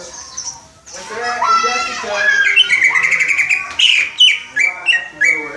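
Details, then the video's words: Greater green leafbird, a young caged bird in training, practising the 'Om Telolet Om' bus horn melody; soft warbled notes give way to a rapid buzzy trill, then separate falling whistles spaced at short regular gaps. "Cucak ijo belajar berkicau "Om Telolet Om""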